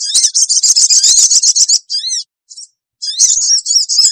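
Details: Sooty-headed bulbul lure call to bring wild birds together fast: long rapid buzzy chatter of repeated shrill notes, a brief squeaky phrase and chip, then renewed fast chattering.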